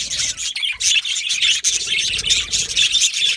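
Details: Several yellow male budgerigars in a colony aviary, dense scratchy warbling with quick high chirps, pulsing in short bursts throughout.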